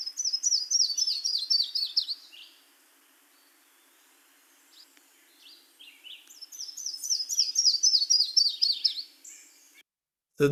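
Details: Yellow-throated warbler (Setophaga dominica) song: two high, sweet cascading phrases of rapid slurred notes, about three seconds each; a fairly rare breeder in riparian areas locally, singing from treetops.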